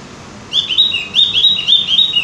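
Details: Lively twittering of a Javan grey-throated white-eye, recorded as a singing prompt: continuous high, slurred chirps rising and falling quickly for under two seconds.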